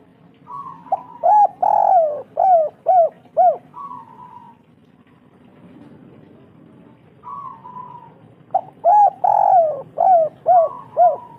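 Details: Cooing lure call of a local spotted dove, used to get doves singing: two phrases, each a drawn-out opening coo followed by a rapid string of five or six short, bouncing, rising-falling hoots, with a soft background murmur.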